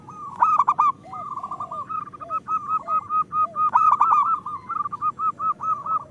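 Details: Local zebra dove chorus, used as a lure to make lazy birds sing: loud rolling trills open and recur, followed by an even series of rounded coo notes, about four per second, with several doves overlapping.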